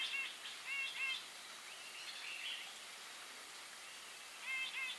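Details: Grey-eyed bulbul calling in short bursts of nasal, squeaky notes at the start and end, separated by a quieter stretch of faint chatter.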